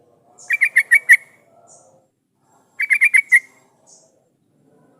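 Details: Yellow-vented bulbul calling as a lure meant to make other bulbuls answer and sing. Two short bursts of four to five quick, sharp chattering notes are separated by a quiet gap, with a few faint high notes between them.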